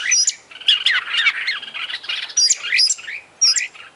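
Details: International champion Oriental magpie-robin in full 'isian' song, producing continuous tangled warbling with high piercing whistles that recur at intervals, crowded and rich throughout.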